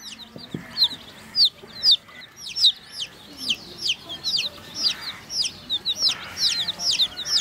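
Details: Baby chicks drinking water give shrill, sharply falling cheeps, often in quick pairs, in an irregular run that thickens toward the end, with a faint tap early on.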